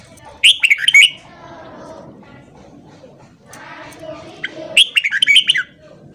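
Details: Red-whiskered bulbul morning song, used to train and stir newly caught bulbuls: two bright, quick warbled phrases about four seconds apart, each under a second, over a steady low murmur.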